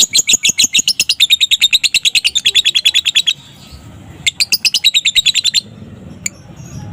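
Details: Afternoon ngekek song of a young fighter lovebird, sung with full intensity as a lure to make other lovebirds answer. It gives a fast, high, rattling trill of even pulses for about three seconds, pauses, then gives a shorter second burst.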